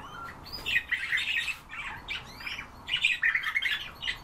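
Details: European bee-eaters giving bursts of rolling, burry calls, some overlapping, coming in two clusters separated by a brief lull, with no other clear sounds.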